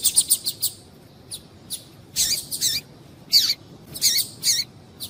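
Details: Female rusty-collared seedeater (coleiro) calling, used to stimulate males to sing: short high chirps in quick bursts, some with sharp downward sweeps, irregular groups of two or three notes, clean background.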